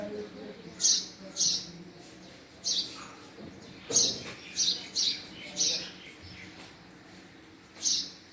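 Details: House sparrow giving a run of about nine sharp, high chirps, several in quick pairs with short gaps between, over a faint low hum.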